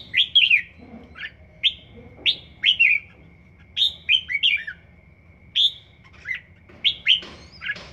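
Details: Young red-whiskered bulbul, one season old, rehearsing its song: loud, sweet, downslurred whistled notes delivered singly and in quick bursts of two or three, with short gaps between, over a faint steady tone.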